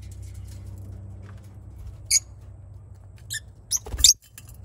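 Young lovebirds give a few short, high, raspy squeaks, scattered irregularly and loudest near the end, over a low steady hum.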